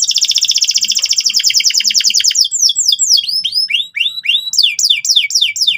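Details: Canary singing hard and loud, gacor style, so juvenile canaries quickly learn ngeriwik: a rapid rattling trill of about two and a half seconds gives way to spaced, sweeping falling whistles.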